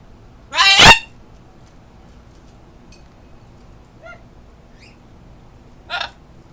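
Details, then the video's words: Captive pet parrot faking a sneeze as one of the many noises it likes to imitate: a sharp, loud, noisy burst like a sneeze, then quiet faint chirps and a second shorter hissing burst near the end. "Gilmore Fakes A Sneeze"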